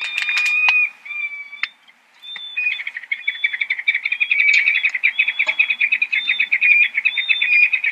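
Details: Peregrine falcon giving a few drawn-out harsh notes, then a fast continuous chattering run of clipped, ringing notes that carries on for several seconds.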